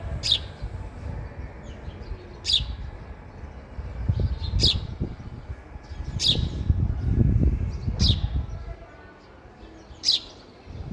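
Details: Sparrow eating at a feeder, giving short high chirps about every two seconds over a steady low rumbling background noise.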